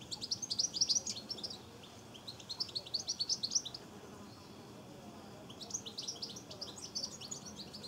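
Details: Goldfinches taking a drink at a garden bird bath, filmed 23 September 2014. Three bursts of rapid, high, liquid twittering, each a second or two long, with pauses between and a soft low rumble underneath.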